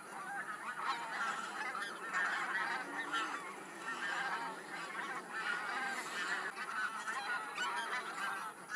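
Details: Large flock of geese on the move from fields to a lake for the day, a thick unbroken babble of many honking voices rising and falling in waves, with a thin steady high tone throughout.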